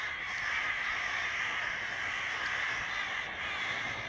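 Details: Noisy evening flock of crows outside a window during summer: a constant wall of harsh, grating caws from numerous birds, steady in volume throughout.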